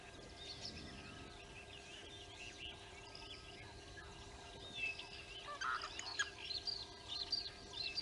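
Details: A young Blacksmith lapwing at Nkorho, recorded 23 September 2022 while attacking birds coming to drink, gives sharp, metallic clinking notes in quick irregular bursts, louder later, over softer chatter from other birds and a steady low hum.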